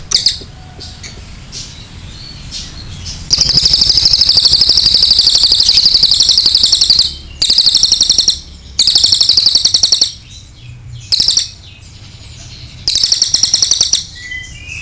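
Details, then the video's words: Cililin giving a long 'nembak' song used to train other birds: sustained, very high, rapid buzzy trills in long bursts of up to four seconds, broken by short pauses, with brief faint chirps between bursts. "MASTERAN CILILIN NEMBAK PANJANG"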